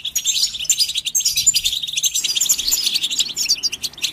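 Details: Goldfinch chirps and song for listening and training birds: continuous, dense, high-pitched twittering and trilling with overlapping notes and no pauses, while a soft low rumble runs in the background.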